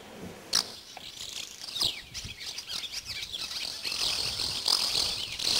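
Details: Swallow nestlings in the nest beg for food with thin, very high, overlapping cheeps in a steady chorus. A few sharper chirps rise above a faint rustle as the chicks stretch up with wide-open beaks, and the loudest caller is fed first.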